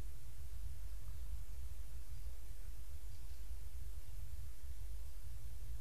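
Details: Only a constant low rumble like wind against a microphone, with no animal voices.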